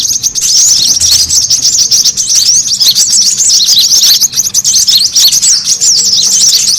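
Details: Brown-throated sunbird lure sound, a noisy busy recording used to attract and gather birds: dense, unbroken high-pitched twittering with squeaky, looping chirps that overlap constantly for the whole stretch.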